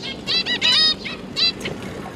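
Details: Zebra finch parents and three juveniles, newly out of the nest, 31 October 2022: a handful of short nasal calls close together, then a brief pause and one more call.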